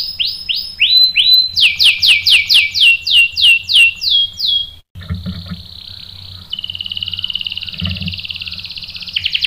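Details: Canary lure song intended to stir other canaries into replying with rolling song: evenly spaced downslurred whistles building in intensity, a short silence, then an extended buzzing roll that steps down in pitch and rises again.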